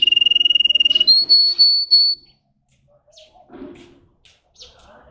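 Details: Russian canary bred for singing, a caged singer: a fast pulsed whistle held level for about a second, then a higher, smooth sustained whistled tone in short stretches, followed by quieter scattered notes.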